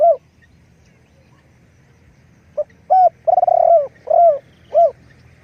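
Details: Spotted dove kept as a decoy. A trailing coo is followed by silence, then a phrase with a soft pip, a hoot, a long rolled purr and two short, mellow, descending coos.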